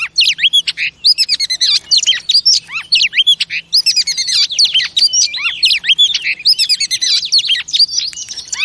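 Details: A female oriental magpie-robin in loud continuous song, meant to stimulate male pet birds: rich, tumbling whistles, downward swoops and crisp chattering notes packed tightly with barely any pause.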